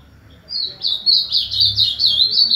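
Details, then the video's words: An ultramarine grosbeak sings a continuous run of high, warbled phrases that rise and fall quickly, with a faint low hum in the background. "canto do azulão"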